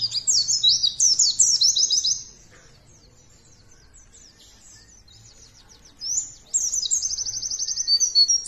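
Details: White-eye song used as a lure to get other white-eyes singing: bursts of high, rapid, chattering trills and sliding whistles, one run in the first two seconds, then near silence, then a second buzzy trilled run from six seconds.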